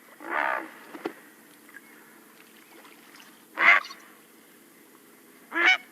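Great Blue Heron giving three harsh, hoarse croaks, each about half a second long, spaced a few seconds apart, with a faint click between.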